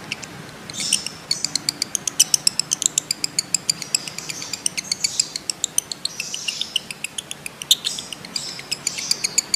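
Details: Lovebird giving a long 'ngekek' trill used to prompt other lovebirds to trill: rapid, evenly spaced sharp high chirps, roughly four per second, with bursts of buzzy chatter over a soft hiss.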